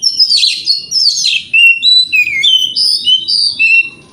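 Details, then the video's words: Vigorous morning singing by an Oriental magpie-robin, played to make rival birds respond: scratchy rich notes at first, then a run of clear, sliding whistles rising and falling, almost continuous throughout. "Pancingan Kacer Gacor Pagi Hari Bikin Lawan AUTO NYAUT!!! Ikut Emosi"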